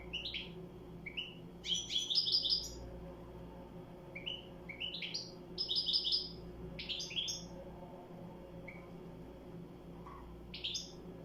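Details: Goldfinch song in short bursts separated by pauses: quick liquid twitters, brief trills and rising chips, high and bright, over a constant low electrical hum in the background.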